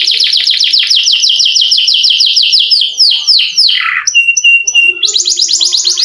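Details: Vigorous canary with long rolls, meant to get lazy canaries singing: around four seconds of rapid descending swoops, then sharp high notes and a steady, high rolled trill.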